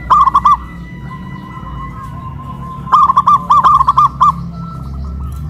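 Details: Local zebra doves kept in cages and raised on a pole in Kuningan, West Java, singing loudly in a duet of big and crystal voices. A short burst of rapid cooing notes, a pause, then two more bubbly phrases close together.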